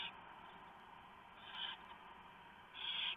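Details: Barn owl at a nest at 3:59 AM on 3 November 2015, as the male delivers a very large mouse and the female shreds it for the owlets. Two short, harsh hissing bursts stand out over a steady, faint background hum.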